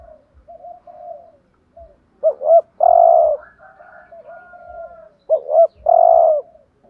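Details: Spotted dove giving 'thúc gù' decoy coos to draw in other doves: murmuring low coos between two loud phrases, each a bouncing double coo followed by a long buzzy coo, about three seconds apart.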